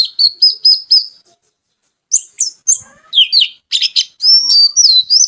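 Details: Oriental magpie-robin song: three quick repeated chirped notes, a pause, then varied sharp chirps, buzzy scratchy notes and a slurred whistled run.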